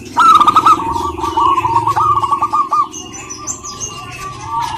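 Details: Female local zebra dove calling to a male: a quick run of short, clipped coos lasting about three seconds, then a faint steady tone and distant chirps.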